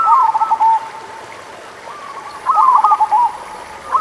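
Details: Zebra dove of local type singing, a lure for sluggish singers: two loud bursts of fast, burbling coos about two seconds apart, softer cooing between, and a light hiss.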